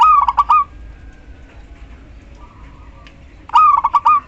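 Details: Female local zebra dove calling a male; two rapid rolling coo phrases of several quick pulses three seconds apart, with a faint softer cooing note in between and light background hiss.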